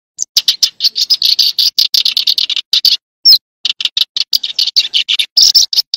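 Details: Eurasian tree sparrow giving a rapid, continuous run of short, bright chirps, several per second, with a brief pause near the middle; no other sounds, clean silent gaps between notes.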